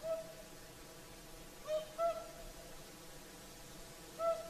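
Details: Whooper swans singing in the evening at sunset, Lake Saimaa, Finland: a few spaced, mellow trumpeting notes, one at the start, a pair in the middle and another near the end.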